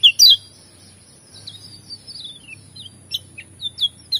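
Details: Lemon-bellied white-eye (pleci Lombok), in full song with varied fills: sharp high chirps and quick downward-slurred whistles come in short, scattered bursts, with pauses between phrases and a faint low hum behind.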